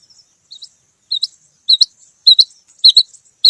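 Rain quail female giving short, high, squeaky double notes, repeated about every half second and growing louder; nothing else is heard.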